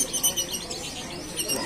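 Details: Several canaries at the Pramuka bird market sing at once, their high, rapid warbles and twittering trills overlapping densely, with faint human voices underneath.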